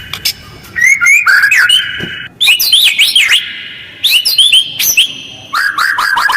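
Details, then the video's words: White-rumped shama lure song, rough and fast with tight pauses, used to provoke replies from other birds; bursts of sharp high chips, looping whistled slurs and held tones, separated by brief gaps. "Jeda rapat, suara kasar dan cepat direspon burung lain, pancingan murai batu"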